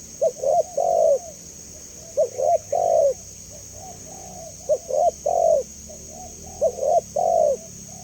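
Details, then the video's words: Spotted dove repeating its phrase four times at regular intervals: two quick short coos, then a longer, drooping coo, with soft murmured notes between phrases. A continuous high hiss sits behind the calls. "Suara Jernih Burung Tekukur"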